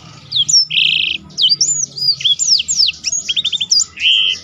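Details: Black-throated canary in full song for tutoring contest birds, its prized roll heard as a sustained buzzy trill among quick looping whistles, short rapid note series and a faint low hum underneath.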